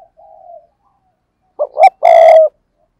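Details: Spotted dove kept as a decoy bird gives a soft low coo, then after a pause two short notes and a longer steady, slightly falling coo.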